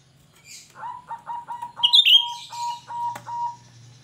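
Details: Cucak rante in lively full song, a shrill song used to lure other birds: a run of about ten short, clear mid-pitched notes in steady succession, broken by a shrill, high, slurred whistle, with a faint low hum behind.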